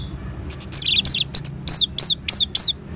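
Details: Orange-headed thrush in ngeban song style, used to stimulate caged birds to sing: a rapid run of high, sharp chirps and clipped whistled notes, about three per second, some descending slurs, over quiet background.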